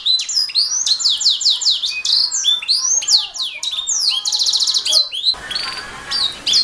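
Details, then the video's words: Canary singing gacor-style for training songbirds: rapid repeated descending whistles and a pulsed trill, then a burst of broadband noise behind a few final whistled notes. "Suara Burung Kenari | Gacor"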